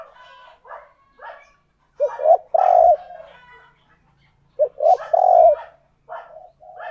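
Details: Cooing decoy spotted dove luring other doves: two loud, deep, throaty coo phrases about three seconds apart, with fainter cooing from more doves in between.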